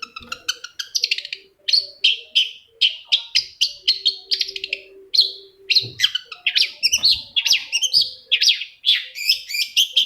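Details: Shrike lure song to coax another shrike into singing: a nonstop stream of harsh chattering phrases and buzzy whistled notes, rapid and varied, growing busier and more scratchy toward the end.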